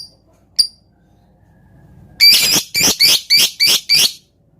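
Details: Lovebird lure recording with dense rapid 'ngetik' typing-style singing, used to provoke other lovebirds to sing and heat up: after a lone high chirp, a burst of six harsh, high, buzzy chattering notes in quick succession.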